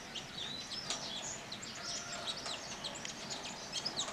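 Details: Weaver birds calling during nest building: a dense, continuous chatter of short, high chirps and buzzy notes overlapping one another, quiet and steady throughout, as from several birds at once.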